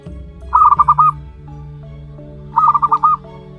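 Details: One-month-old zebra dove chick of local wild stock gives two pulsed cooing phrases about two seconds apart. Each is a string of short soft notes on an even pitch, with a steady low background hum.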